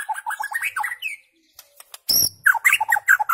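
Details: White-rumped shama singing for goldfinch tutoring: quick jumbled warbled notes, a short pause, a sharp broadband burst, then more rich, fast varied whistles.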